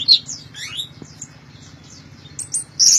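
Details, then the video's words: Loud singing from an orange-headed thrush, a quick run of high, sliding whistled notes and chirps, ending in a sharp bright burst, with a low steady hum underneath. "Anis Merah Gacor Teler Suara Keras"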